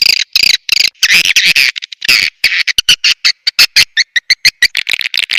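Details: Lure sound for attracting swiftlets, SP BJA. Scratchy twittering bursts are followed by a short pause, then a rapid run of separate sharp chirps.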